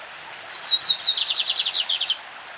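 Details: A champion lined seedeater sings its classic-style song from Brazil: a few thin, high, drawn whistles, then a fast buzzy trill of about ten rapid notes, lasting under two seconds, over a soft hiss of a stream in the background.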